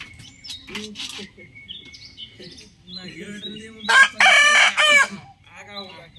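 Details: Rooster crowing in the morning, from a set of different exotic chicken breeds. One loud, harsh crow lasts just over a second in broken segments, preceded by softer chirps and clucking sounds.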